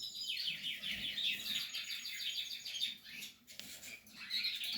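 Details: Portuguese harlequin canary during nesting, giving slightly fainter high trills in rapid repeated pulses, dipping briefly before a final bright phrase.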